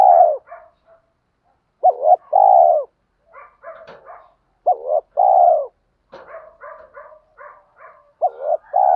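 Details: Male and female spotted doves cooing to stimulate birds in training: paired mellow coos, each opened by a quick up-slurred note, repeated several times between softer stuttering murmurs and a few clicks.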